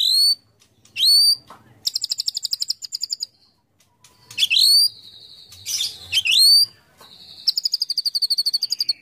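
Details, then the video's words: Murai batu, or white-rumped shama, in competition-style song with fill-in phrases. Sharply rising whistled upslurs, rapid trilled chip bursts and sustained bright warbles alternate with short silences. "25 Tembakan Murai Batu Isian Sadis Dan Mewah Yang Disukai Juri"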